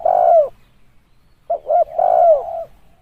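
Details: Spotted dove call used as a lure for decoy trapping: a deep, drawn-out coo with a falling end, then two short clipped coos leading into another long sliding coo, with no other sounds.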